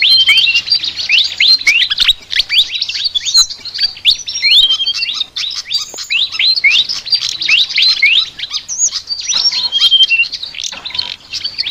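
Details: Flycatcher (sikatan) in a long chattering song said to be very unique: nearly unbroken stream of rapid high whistled chirps, slides and trills, very busy and varied throughout.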